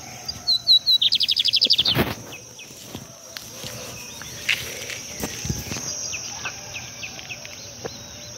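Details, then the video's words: Lined seedeater singing at a riverbank in Brazil: a few high notes, then a quick, buzzy trill lasting about a second, followed by scattered soft chips over a steady high hiss. "Bigodinho cantando"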